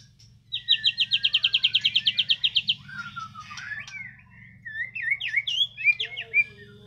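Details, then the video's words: Belgian canary song: a rapid, even trill of about twenty bright high notes in two seconds, then varied squeaky whistles and twittering phrases over a steady low hum. "isian kenari"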